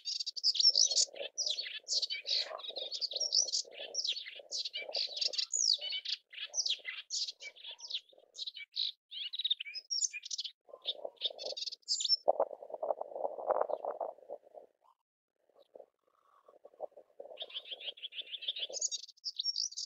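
A melodious warbler pours out a fast, chattering, babbling song of high twittering notes.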